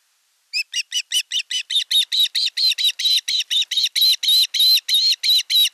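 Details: An elder osprey chick attacks its younger nestmate as fish is delivered at a Finnish nest in Satakunta, August 2024. A steady run of piercing, harmonic chirps grows louder and faster, roughly three or four per second, continuing throughout.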